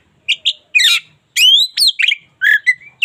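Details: Local Oriental magpie-robin singing for daily tutoring: paired short whistles, a harsh buzzy note, then long sweeping whistles and rich warbles, all loud and clear.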